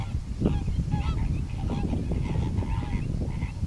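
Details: Greater flamingo calls: nasal, goose-like honks with stacked harmonics, several birds overlapping and repeating irregularly, over a heavy low rumble.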